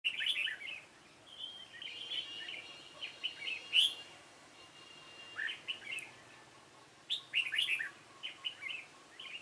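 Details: Red-whiskered bulbul of the dark-bibbed type, recorded while trapping with a decoy bird on 28 February 2017. Short, warbled phrases of clear notes come in scattered bursts several seconds apart, with fainter birds calling behind.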